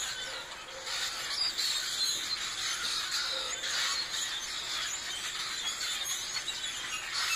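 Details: A flock of birds in trees chatters nonstop, with many overlapping high chirps and squeaks at a steady level over a faint, constant high whine.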